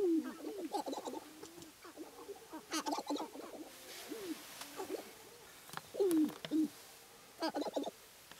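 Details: Sharp-tailed grouse lek in spring, Namekagon Barrens, Wisconsin, with males dancing for hens; bursts of cooing hoots and harsh cackles in groups, separated by quieter murmuring clucks.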